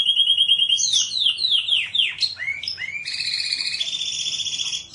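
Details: Canary singing a loud, varied song: rapid descending whistled sweeps, then sharp upward slurs, then sustained high buzzy trills. No other clear sounds.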